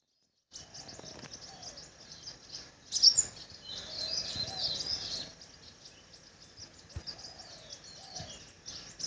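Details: Crimson sunbird calling: a loud, sharp, high chirp near the three-second mark, then a run of thin twittering notes over a steady high chorus of birds or insects, with soft low warbles beneath.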